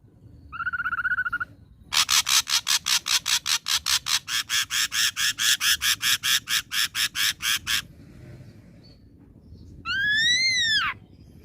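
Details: Young wild-caught ashy drongo: a brief trill, then a long series of harsh, rapid clicking pulses repeated about three times a second, ending in a loud arching whistle.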